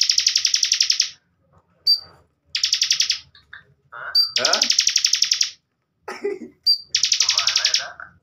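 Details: Bar-winged prinia in a cage, singing as a master for training contest birds: four bursts of fast buzzy rattling pulses, each introduced by a sharp high note, with brief softer chirps in between.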